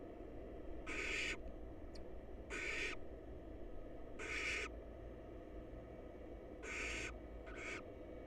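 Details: Wild barn owl chicks snuggled in a research nest box, hungry and waiting for food, repeat harsh rasping hisses at irregular intervals: five bursts, the last one short and clipped, over a low background hum.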